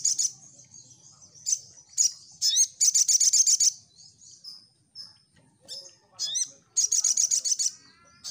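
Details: Crimson sunbird singing vigorously, played as a lure to make birds respond: bursts of very high, rapid chittering trills alternate with short thin whistled notes and pauses.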